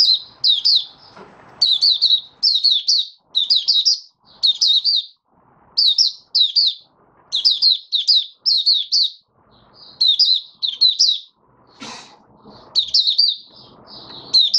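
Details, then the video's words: Caged oriental white-eye (Mata Puteh Raja) singing openly, five days after monthly deworming on 20 January 2022. Steady bursts of shrill, descending high chirps in groups of two to four, with soft background rustles and one sharp knock. "Mata Puteh Raja Video 1 buka sing"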